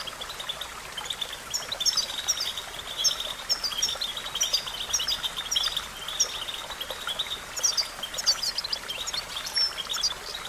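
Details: European goldfinch song used for training songbirds: a busy stream of quick high twitters and chirps with short trills, over a steady thin high hiss and outdoor background noise throughout.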